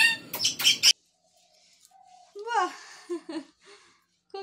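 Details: A pet talking Alexandrine parakeet gives three harsh, raspy screeches, then a pause and a few short, wavering, voice-like syllables mimicking speech.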